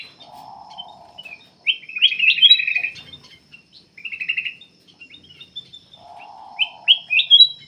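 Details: Black-capped bulbul singing continuously as a lure to draw other birds into song: loud bursts of rapid, slurred whistled notes separated by short pauses, with a lower buzzy rattling note at the start and again near the end.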